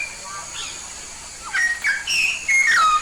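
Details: Lively song of a yellow-faced myna from Papua: soft faint whistles first, then a rapid burst of rising and falling clear whistles ending in a long descending slur, with steady hum behind.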